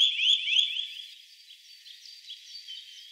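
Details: Eurasian nuthatch in the Wittlich valley, 2018: a quick burst of short rising notes running together into a high, fast trill, then fading into faint, softer twittering.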